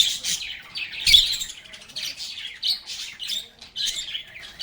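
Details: Chattering lovebirds at play, with high twittering and squeaky notes in clusters separated by short quieter gaps and a soft thud near the first second.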